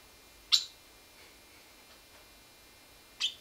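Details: A pet bird chirping and shaking its head while eating a fig, giving two sharp, very short high chirps about three seconds apart in an otherwise quiet room.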